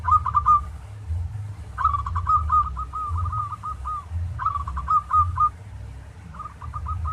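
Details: Local zebra dove song used as a master for training other doves: quick trilled phrases of short bent notes, each ending in a longer drawn tone, recurring every two to three seconds, with low-frequency hum beneath.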